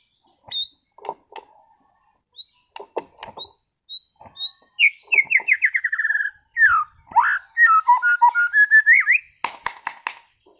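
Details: Caged white-rumped shama of competition class from Sragen singing energetically: high thin whistles and dry clicks at first, then a fast descending series of rich whistled notes and varied warbling phrases ending in a buzzy burst.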